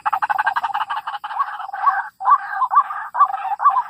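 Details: White-breasted waterhen calling, used to lure birds into a trap: quick throaty stutters at first, then slowing into separate harsh, rising 'kruak' notes about twice a second.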